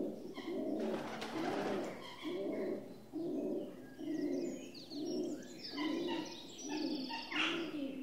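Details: A rock dove (pigeon, Columba livia) gives a low, throaty cooing of soft rolling notes repeated roughly every second, with faint higher chirps near the end.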